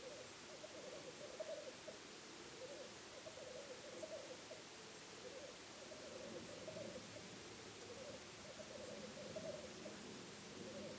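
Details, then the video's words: Black grouse recorded from a weekend hide, giving a long run of low, rolling bubbling phrases that swell and fade in waves every couple of seconds, quiet beneath a constant wash of broadband background hiss. "affût Tragopan avec le tétras"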